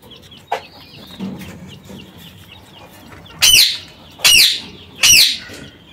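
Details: Quail calling three times in quick succession, each a loud, harsh, scratchy burst about three quarters of a second apart, over soft background chirping from other birds.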